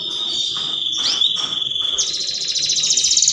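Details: Canary mating song for stimulating other canaries: a steady high whistled tone with a few slurred sweeps, then a fast rattling trill of rapidly repeated notes.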